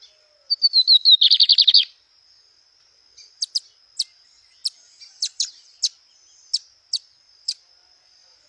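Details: Lined seedeater singing in nature: a short run of descending whistled notes that speeds into a dense buzzy rattle for about a second, followed by scattered sharp high chips over a steady high-pitched background hum.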